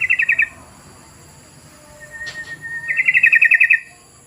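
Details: Lure call of a sooty-headed bulbul meant to make other bulbuls call: the tail of one bubbly trill, a pause, then a level whistle leading into another quick run of chirpy warbled notes.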